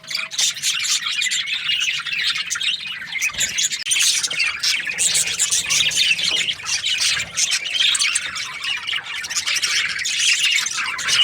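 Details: Lively flock chatter of budgerigars: continuous high chirps, squeaks and grating warbles overlapping for the whole stretch.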